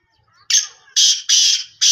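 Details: Sindhi black francolin (kala teetar) calling: four loud, harsh, grating notes in quick succession, each a rasping buzzy burst of about a quarter second, the last one cut off at the end.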